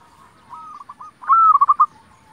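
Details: Local zebra dove in full song as a lure for other zebra doves: a softer drawn note with a few faint pulses, then a loud clear coo dissolving into four rapid rolling notes.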